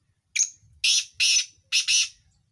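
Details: Partridge (teetar) kept as a home hobby bird, giving four loud, harsh, grating calls in quick succession, each burst lasting about a quarter second, with the last two run together.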